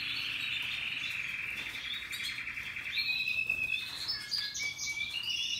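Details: Russian yellow canaries and Timbrado canaries singing happily: long rapid trilled rolls at high pitch, shifting into sustained whistled notes and varied higher phrases, continuous without pause.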